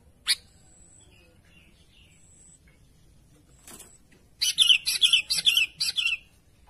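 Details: Sooty-headed bulbul calling to its companions: one sharp chirp, a pause, then a quick, lively burst of warbling, bubbly notes repeated in a tight cluster.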